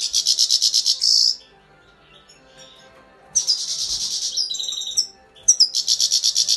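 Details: Grey-crowned goldfinch singing dense, high twittering trills in bursts, a rapid pulsed phrase, a pause of two seconds, then varied chirps and another quick pulsing trill.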